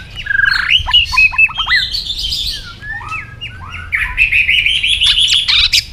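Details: White-rumped shama singing in a contest, tail flicking. Down-slurred whistles and quick clipped notes flow into a fast, rising run of high chattering notes.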